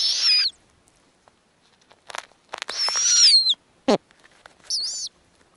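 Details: At a snowy owl nest in the Arctic, with a female feeding newly hatched owlets, shrill squealing whistles are heard: a short one, a longer wavering one, a brief low-dropping chirp and a final quavering squeal.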